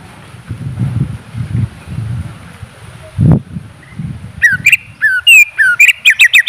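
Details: Greater green leafbird heard after several seconds of low background rumble and one soft thud: a quick string of sharp, slurred whistles and clipped notes fills the final two seconds.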